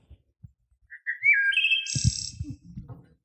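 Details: Wood thrush (Hylocichla mustelina) song phrase: soft introductory notes, then rising flute-like tones ending in a high, shimmering trill, with low room rumble beneath.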